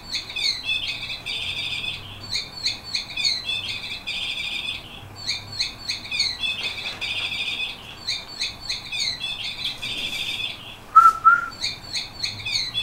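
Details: Song of a 15-year-old yellow canary, a senior whistler: bursts of quick chirps alternate with rolling, liquid trills in a regular cycle, with one brief lower note near the end and constant background hiss.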